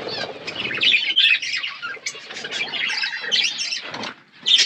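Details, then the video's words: Pet budgerigars feeding on seeds in an outdoor aviary chatter in bouts: warbling, buzzy notes and sharp chirps from several birds, broken by short quieter pauses. "My beautiful budgies eating seeds in my natural outdoor aviary"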